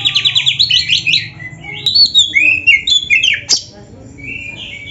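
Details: Gacor oriental magpie-robin master song with luxurious isian filler for training: quick stuttering chirps at the start, then loud slurred whistles rising and falling, fading to soft distant notes.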